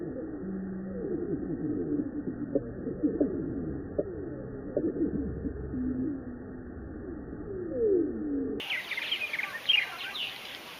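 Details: Large backyard Purple Martin colony in Finger, Tennessee: a dense, overlapping chorus of many slowed-down, slurred calls, switching near the end to the chattering, twittering chorus at natural speed.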